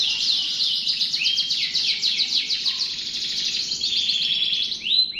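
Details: Canary in steady song: long fast high trills with some short flat whistles and a rising slur at the end, all layered in a dense continuous stream.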